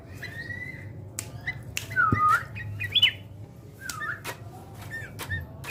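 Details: Sooty-headed bulbul being trained for fighting spirit: scattered whistled notes, a swooping slurred phrase and a brief upward flick, mixed with sharp clicks and tapping sounds.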